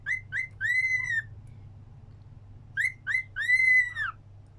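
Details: Cockatiel whistling a sing-along tune: two short clear whistled notes followed by a long, slightly arching whistle, the whole phrase given twice with a pause between, over a faint low hum.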